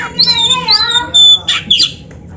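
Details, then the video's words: Oriental magpie-robin, black-breasted type, played as a lure for caged birds: a drawn-out whistled note with harsh harmonics, followed by two short harsh squawky bursts. "SUARA BURUNG KACER MASTERAN"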